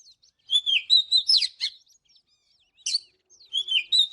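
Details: Oriental magpie-robin in morning song, for training: a short series of clear whistles and twisting slurs, a pause of about a second, then a sharp burst and a falling whistled phrase.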